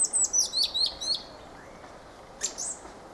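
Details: Fieldfare singing a quick run of thin, squeaky, downslurred high notes, then a pause and one more brief squeaky phrase.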